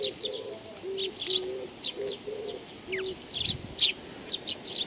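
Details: Several sparrows coming to be fed at Tenmangu shrine, Nakanoshima, on 7 June 2020. Sharp high chirps come in short clusters, while low steady pigeon coos repeat underneath.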